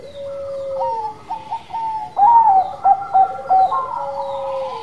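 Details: Zebra dove lure song to stimulate other birds, heard as a low, drawn coo followed by a series of quick rippling, bubbling coo notes.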